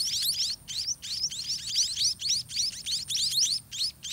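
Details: High, thin upward-sweeping chirps from white-rumped munia babies in the nest at feeding time, crowded together in quick bursts with brief gaps.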